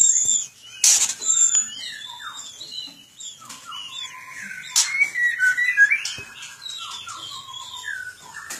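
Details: White-rumped shama singing in a breeding aviary: a rich, varied run of clear whistled phrases, rising and falling slides and sharp chipping notes, sometimes loud and bright, with short pauses between bursts.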